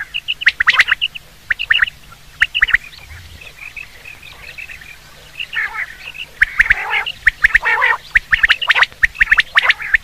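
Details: Common quail sound for hunting: clusters of sharp clipped notes at the start, a quieter stretch of soft chirping, then dense harsh bursts and rapid triplets.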